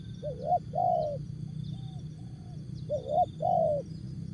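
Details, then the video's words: Spotted dove song in short jergot form: a rising coo then a sustained falling coo, a pause with faint distant coos, then the phrase repeated, over a high steady buzz and low rumble. "Jergot,Tapau, Bungkus Burung Tekukur/Terkukur"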